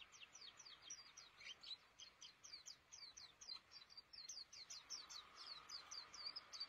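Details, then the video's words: Caged white-eye, known in Indonesia as pleci, singing actively: a fast, steady run of thin, high chirped notes tumbling one after another for the whole stretch, over a soft background hiss. "Burung Pleci Gacor Di Kandang Yang Estetik"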